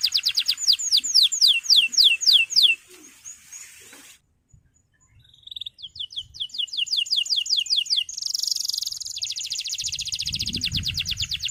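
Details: Male canary calling a rival, used to stimulate and train young birds: series of rapid downward-sweeping whistled notes, a brief pause, then fast repeated notes and a buzzy trill, with faint low rumbling near the end.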